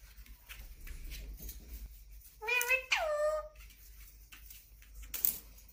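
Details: Indoor pet Indian ringneck parakeet gives a short harsh note followed by a longer call that slides downward, richly layered in harmonics. Faint room noise continues, and a brief knock comes near the end.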